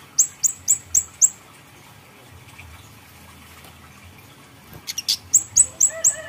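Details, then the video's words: Grey-headed canary-flycatcher (kamade), plain bird in strong song, kept as a lure for training other birds: bright, high, down-slurred notes repeated in quick series of five, a pause, a short buzzy burst, then another rapid run. "pancingan kamade polos gacor isian"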